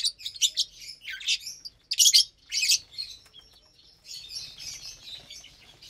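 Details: Lovebirds feeding on vegetables and seeds in the morning; shrill screechy chirps in quick bursts, loudest in the middle, followed by a longer buzzy twitter.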